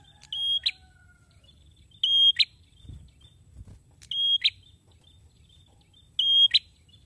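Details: Eagerly singing male prinia repeating a piercing flat whistle that ends in a sharp click, four phrases roughly two seconds apart, with a couple of dull low knocks in between.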